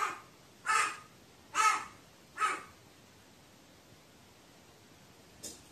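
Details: Crow talking to itself, recorded 15 May 2018: three harsh, nasal caws about one second apart, then a long quiet gap and one faint final note.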